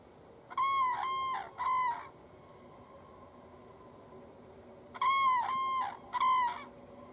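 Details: Two common cranes on a field in southern Sweden, 22 September 2015, trumpet then take off: two loud, harsh bugling bursts, each of three rolling trumpet notes, separated by a few seconds of quiet hiss.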